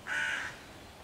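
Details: A single short, rasping caw from a hooded crow mobbing a group of five young raccoons in a tree, 11 June 2023, calling to drive off the predators and summon other crows.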